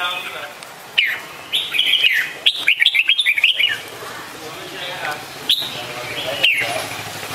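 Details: Red-whiskered bulbul giving a lively run of rolling, whistled notes in the middle, framed by scattered single chirps and a soft echoing tail.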